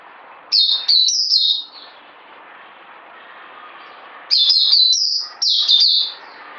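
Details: White-eye in captivity delivering two high, lively twittering phrases of quick slurred notes, separated by a few seconds of low background hum.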